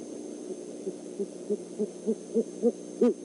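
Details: Great horned owls, a male and female checking out the Decorah eagle nest overnight on 12-17-14: a run of about ten short, low hoots roughly three per second, growing steadily louder toward a strong final note.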